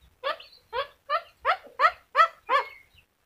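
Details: Yellow-crested cockatoo talking: seven short, voiced, speech-like syllables in a steady run, each about a third of a second apart, rich in harmonics, against a quiet background.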